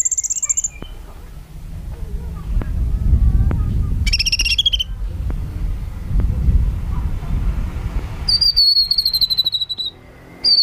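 Sooty-headed bulbul giving short, clear whistled phrases and a longer ringing note near the end, over a steady low rumble with occasional clicks.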